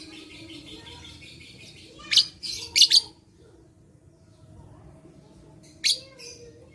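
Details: Lovebird song used as a lure to stimulate lazy lovebirds into singing: a few sharp, high, scratchy chirp bursts around the two- and six-second marks, with quiet pauses between and a faint low hum behind.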